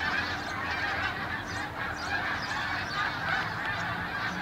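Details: A large flock of Canada geese flying over Farnham early in the morning on 18 December 2015, honking together in a dense, continuous chorus of overlapping nasal honks with no pauses.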